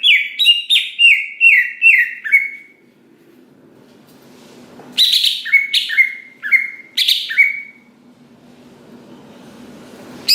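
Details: Greater green leafbird song used to provoke other leafbirds into singing: a string of clear, falling whistled notes, a pause, then further separated loud whistles sliding downward.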